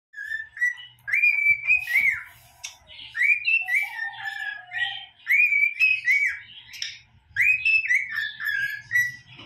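A cockatiel whistles halting, rising and falling phrases as it practices a learned tune.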